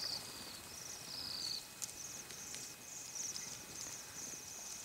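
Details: Flock of Bohemian waxwings in a feeding frenzy, giving high, thin, buzzy overlapping trills almost without a break, with a few soft clicks and rustles mixed in.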